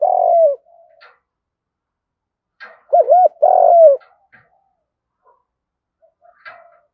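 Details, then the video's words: Spotted dove giving the field-style fighting coo used to lure wild doves: end of a long coo, then two quick looped notes and a long falling coo, with faint clicks around. "chim cu gáy gù đấu và thúc bài bản giọng đồng"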